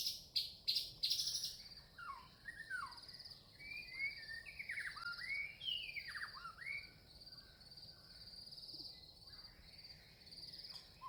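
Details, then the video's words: Red-vented bulbul, a small Indian bird, gives quick bubbly slurred chirps in short phrases, with a few sharp clicks at the start, over a steady high insect drone. "Red-vented bulbul- Birds Chirping"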